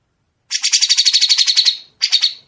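A grey-cheeked bulbul gives a fast, harsh, buzzy rattle of about fourteen notes in just over a second, then a shorter burst after a brief pause.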